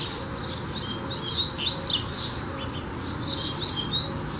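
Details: Song of a coleiro (double-collared seedeater): continuous high, thin twittering with quick whistled slurs and buzzy chirps, steady in volume throughout.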